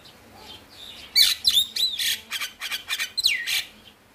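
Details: Male Javan myna song for prompting silent birds: after a quiet start, a loud burst of harsh grating notes, high whistles and a descending slurred whistle, in rapid succession.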